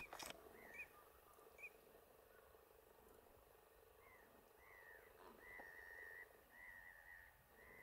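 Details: American flamingos (Phoenicopterus ruber) at a lagoon fish farm on 12 March 2022 give soft, nasal, goose-like honks in short slurred bursts and a longer run of overlapping gabbling notes, over faint background hiss.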